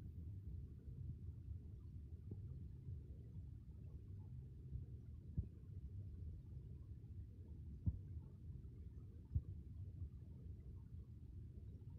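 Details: Only a steady low rumble of wind or distant traffic is heard, with a few faint knocks and no animal calls.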